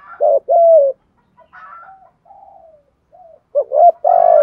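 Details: Spotted dove cooing to excite decoy birds. A strong two-note coo phrase opens, then quieter, scattered soft coos, and a further loud phrase builds at the end.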